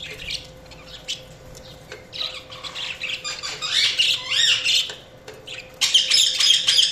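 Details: Budgerigars chirping indoors: a busy flock of rapid, warbling chirps and squawky trills, dense bursts rising and falling, loudest near the end, with a steady faint hum underneath.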